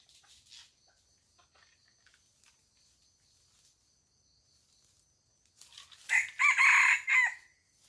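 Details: Chicken on a farm giving a loud, harsh harmonic call in several bursts near the end, after a quiet stretch with a steady high insect whine in the background.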